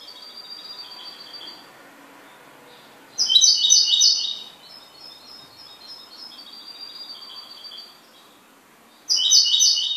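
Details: A kept goldfinch sings in separate bursts of bright, high twittering trills with quieter, softer warbling between them.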